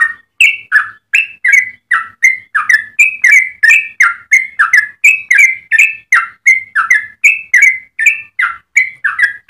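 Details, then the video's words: Long rapid 'ropel' song from a yellow-vented bulbul, recorded to tutor and lure other bulbuls; an unbroken run of liquid, slurred whistled notes, roughly three per second, swinging between high and low pitch. "Trucukan gacor ropel panjang cengkok termerdu untuk pancingan dan masteran"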